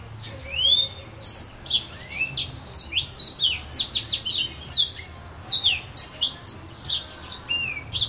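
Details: Sustained, energetic warbling from a serin pays, the yellow-fronted canary, in casuarinas at Saint-Philippe, Réunion: a continuous stream of high sweeping whistles, trills and sharp chirps with barely a pause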